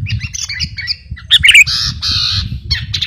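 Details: Sooty-headed bulbul, a vocal bird used as a master recording to train or lure birds, giving harsh, squawky and buzzy notes, with a louder burst of scratchy calls midway, over a steady low rumbling background.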